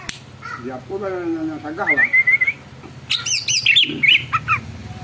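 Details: Actively singing greater green leafbird, a song said to provoke other leafbirds into singing and agitation: a drawn, wavering tone rises into a high thin whistle, followed by a rapid run of sharp, squeaky chirps.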